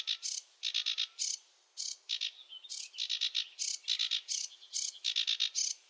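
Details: Sedge warbler singing in wetland, steady runs of harsh buzzy chattering notes in quick clusters, slightly distant, with light background hiss.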